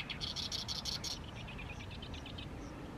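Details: Oriental reed warbler singing on and on in the evening sun over a fallow field in mid-May: a burst of loud, harsh, grating notes repeated rapidly for about a second, then a run of softer, quicker chattering notes.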